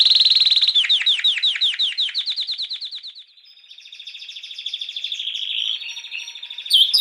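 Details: Canary song opening with a rapid run of sharp descending whistled notes, then a drawn-out, rolling buzzy trill held on one pitch, swelling in loudness and ending with a bright sharp note.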